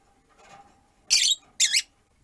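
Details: Two loud, harsh high chirps from pet rosy-faced lovebirds, four birds in a window-side cage, one on a perch, after faint room noise.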